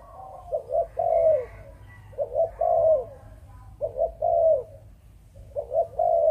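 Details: Spotted dove of a Malaysian breeding line, singing the Chụp Chụp Ô style: low throaty coos in grouped phrases, a short double note then a longer drawn-out coo, repeated about every one and a half seconds, with a fainter dove cooing behind.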